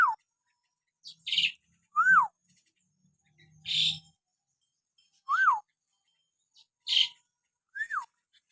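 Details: Common hill myna natural whistles used to provoke caged pet mynas to sing: clean whistles that swoop up then drop, repeated every one to two seconds, alternating with short harsh notes.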